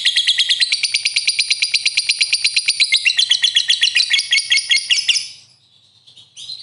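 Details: Lovebird chattering nonstop: a rapid, high, rattling trill of shrill chirps running for about five seconds, then fading, followed by a short, high squeak.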